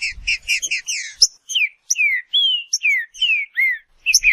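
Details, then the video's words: Green-winged saltator (Saltator similis) song: quick repeated chirps, then a run of clear, rich whistles, each sliding downward or arching, delivered at a steady pace of roughly two per second in a quiet setting. "Seu Trinca Ferro vai pegar fogo em 15 minutos"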